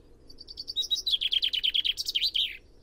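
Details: A chaffinch delivers one complete song phrase, high thin notes at first, then a rapid descending series of rattling notes, closing with a brief twisting flourish, all within under three seconds.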